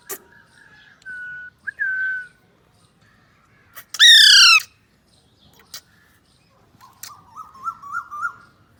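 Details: Talking pet Alexandrine parakeet playing with a mobile: short level whistled notes, then one loud harsh squawk, then a wavering series of rising chattered notes. Sharp clicks are heard between the calls.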